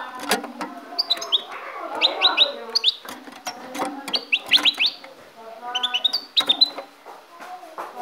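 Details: Pet goldfinch originating from Ecuador sings in quick bursts of sharp, high, rising chirps, grouped in clusters of three to five notes with short pauses between, while people talk softly in the background.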